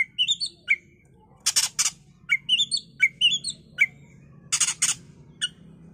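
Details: Oriental magpie-robin (kacer) bait song to trigger agitation and singing: rapid chains of rising whistled notes alternating with loud harsh rasping bursts, phrases repeating every second or so, a faint hum beneath.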